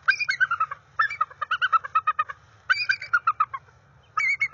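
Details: Wild bald eagle pair working on their NCTC nest on 30 January 2021. The female solicits mating with a chant of high, squeaky, descending chattering series, each run of quick staccato notes lasting about a second, with pauses between.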